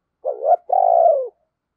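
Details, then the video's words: Single full coo phrase from a decoy spotted dove calling wild doves: a wavering, rising two-note lead-in, a short break, then a long, loud, gently falling coo. "Tiếng Chim Cu Mồi Thúc Và Gáy Gọi Bổi"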